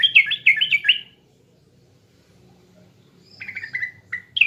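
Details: Lure song of a sooty-headed bulbul from East Java: a brief burst of bright, liquid whistles, a long quiet gap, then several clipped whistled notes and chirps.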